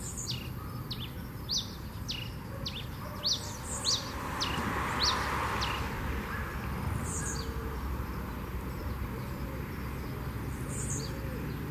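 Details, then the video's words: Red pileated finch singing the fluted 'canto 21 flauteado' song in nature: a quick series of high, sharp, downslurred whistled notes in the first four seconds, then a few scattered notes later, over steady low rumbling background noise. "Tico Tico Rei Canto 21 Flauteado Na Natureza"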